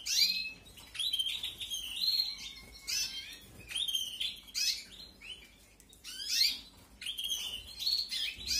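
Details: Canary chicks fed in a 2021 breeding aviary beg with rapid, scratchy, high-pitched squeals in short irregular bursts, almost continuous over several seconds.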